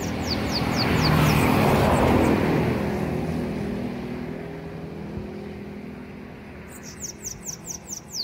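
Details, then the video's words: Bananaquit song of the belga style: a run of thin, high, falling notes at the start, a loud rumbling noise that swells and fades, then a rapid series of seven high descending notes. "SO BELGA SIBITE REVELAÇÃO PURA FIBRA..."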